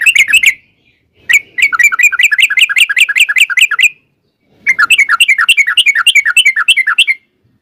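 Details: Sooty-headed bulbul giving a long, rapid 'ropel' song used as a lure to make other bulbuls answer: three bursts of quick bubbly chirping notes, each burst lasting one to three seconds, with short silent gaps between them.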